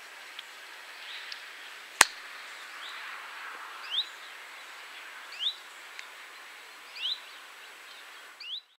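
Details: Common moorhen with young at a reservoir in Rawa Mazowiecka, Poland, on 31 July 2017: thin, rising high peeps repeated about every one and a half seconds over a steady background hiss, with one sharp click.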